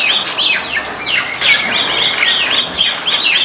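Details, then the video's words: White-eared bulbul, also called white-cheeked or Iraqi bulbul, in a backyard: a run of arched, whistled notes repeated roughly every third of a second, with sweeping downslurred chirps from other birds overlapping throughout. "White-eared Bulbul sound"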